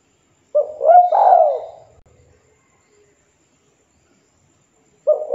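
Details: Local spotted dove calling a rival: one husky, mellow cooing phrase of a short rising note then a longer swelling, falling coo, followed by silence before the next phrase begins.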